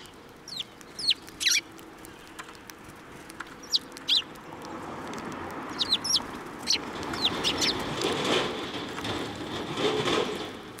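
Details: Sparrows coming to be fed on the way at a Tenmangu shrine, April 2024; scattered sharp high chirps in the first half, then a rising wash of broadband background noise with a few more chirps.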